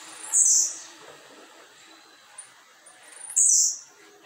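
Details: Blue-black grassquit set outside by its keeper in the afternoon: two loud, high, buzzy bursts three seconds apart over a steady low background hum.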